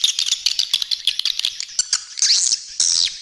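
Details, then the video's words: Swiftlet lure recording for calling birds to feeding areas and flight paths: rapid string of sharp high chirps and clicks, followed by two longer buzzy, down-sweeping squeals. "Suara Panggil Burung Walet"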